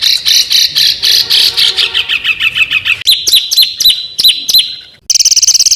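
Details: Small cage bird on a song compilation for training contest birds: a fast jumble of buzzy chirps sliding downward, then sharp swept whistles, ending in a rapid harsh rattle.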